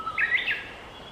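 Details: Japanese bush warbler singing with its whole body, recorded 15 June 2024: a brief low, steady whistle leads into a bright, quickly warbled flourish of higher notes, all within about half a second, over faint background hiss.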